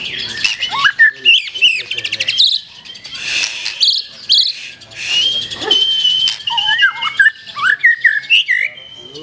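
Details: Black-tailed white-rumped shama singing a varied, busy mix of sharp whistles, chattering bursts and harsh squawky notes, with other noise mixed in.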